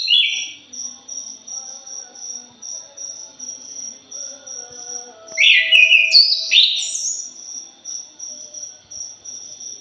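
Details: A thrush gives a short, rough warbled phrase at the start, then a louder, jumbled run of high, chattering notes midway. Regular, shrill insect pulses beat through the whole recording.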